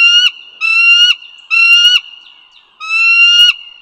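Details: Bald eagle, Dulles Greenway, northern Virginia, morning of 16 April 2022: four strong, harmonic, rising whistles, each about half a second long and ending abruptly, with short irregular pauses between them.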